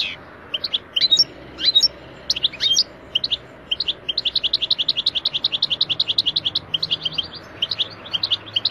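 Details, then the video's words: Wild Algerian goldfinch song used to train juveniles and hybrids: scattered liquid twitters and slurred notes, then a long fast even series of high chirps, later mixed trills, over faint background hiss. "Wild goldfinch song from Algeria تغريد الحسون الخلوي الجزائري"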